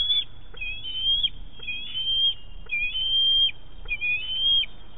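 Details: Bald eaglet at its Big Bear nest on 7 May 2018, squeeing while a parent handles a large fish. Short, shrill whistled squeals come about once a second, some dipping then rising.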